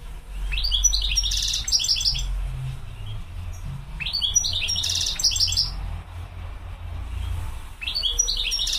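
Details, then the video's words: Goldfinch, locally mqnin, repeating the same sparkling twittered phrase three times at roughly four-second intervals, each with tinny buzzes and sharp notes, over a steady low rumbling hum. "تغريد الحسون مقنين"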